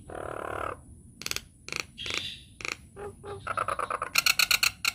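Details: Nias hill myna on a lure track used to set other mynas singing: harsh, rasping bursts and squawks, then a fast accelerating series of sharp high notes, with quiet background music.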